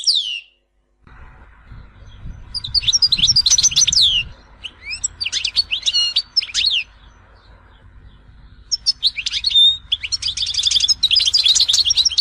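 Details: Singing European goldfinch recorded in Tizi Ouzou: several bursts of rapid, high, twittering and buzzy trills separated by short pauses, with a low background rumble in places.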